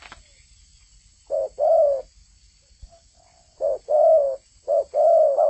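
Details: A spotted dove sings vigorously, giving three close low phrases: a short coo, then a longer, slightly wavering, held coo, with quiet gaps between.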